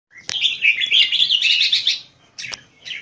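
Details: Caged Red-whiskered bulbul singing high-frequency keke competition song, a male bird noted for stamina of two to three hours at keke contests; rapid bright warbled chattering phrases with quick repeated notes, followed by short separate bursts.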